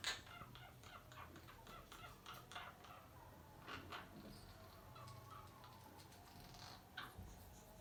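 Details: Monk parakeets (quaker parrots) give harsh, grating squawks in short bursts over a low background hum.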